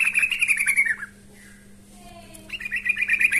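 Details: Trucukan, the yellow-vented bulbul, calling out to a rival in lively song: a quick string of bubbly notes that slides downward, a brief pause, then another rapid chattering run.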